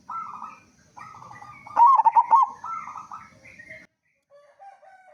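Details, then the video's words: Loud-voiced local zebra dove singing to lure other doves into song: soft drawn-out coos, then a loud burst of five or six rapid bubbling notes, followed by quieter cooing phrases. "Perkutut Lokal Gacor Suara Besar Pancingan Burung Perkutut Agar Cepat Bunyi"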